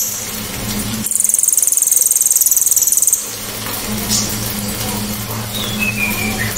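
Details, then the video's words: Loud, clear 'tembakan' of a cililin: after a second of low humming, a very high, fast pulsing trill runs for about two seconds, then stops. Steady low electrical-sounding hum continues, with faint higher chirps later. "TEMBAKAN ‼️BURUNG CILILIN‼️ SEPERTI KESELEK SANDAL😂KERAS TAJAM DAN JERNIH"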